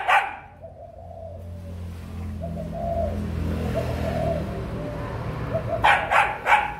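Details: Spotted dove, breeding, 6 December 2021: soft hoarse coos in the middle, partly under a low engine-like rumble. Dog barks come at the start and several times near the end.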